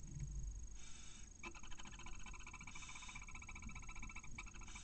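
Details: Inside a Barn owl nest in Cabañeros National Park, a male brings a mouse to the female beside a newly hatched chick. Fast, stuttering, nasal chatter of stacked pulses runs through, with brief breathy hisses and low rumble.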